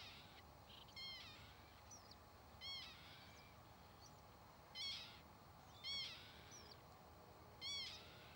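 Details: Northern lapwing (Vanellus vanellus) uttering a series of nasal, slurred, mewing calls roughly every one to two seconds, five clear notes in all, over a faint steady hiss.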